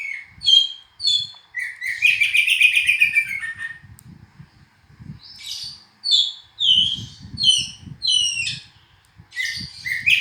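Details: Oriental magpie-robin (kacer) song: loud, varied whistled and buzzy phrases, some sliding and slurred, others short stacked notes, delivered in bursts separated by brief pauses, with faint low rumbling underneath.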